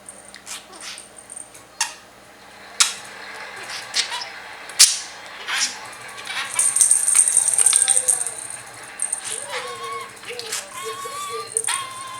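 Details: A pet budgerigar playing with its owner chatters in short warbled, squeaky notes mixed with sharp clicks and rattling.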